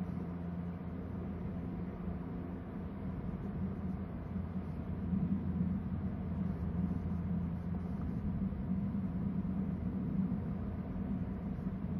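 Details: Low rumbling noise like a passing vehicle or engine hum, with no animal calls heard.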